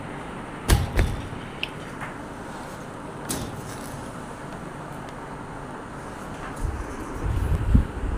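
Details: Constant low road traffic rumble with a few sharp knocks and door-like thuds, and a louder passing vehicle near the end; no animal voices.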